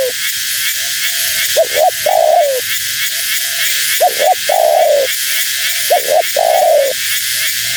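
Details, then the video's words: Spotted dove female giving its lure call for wild doves. Paired clipped notes are followed by a long, slightly wavering falling coo, three phrases in under eight seconds. Quieter coos and steady hiss are heard in between. "Suara Burung Tekukur Betina Gacor‼️Tekukur Liar Pasti Tak Tahan Mendengar Suara Ini"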